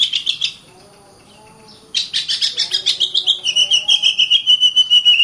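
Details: Kacer, or Oriental magpie-robin, in 'gacor rapat' continuous song meant to stir lazy birds to sing and fight: a harsh burst, over a second of near silence, then rapid buzzy notes repeated about four per second under a thin sustained whistle.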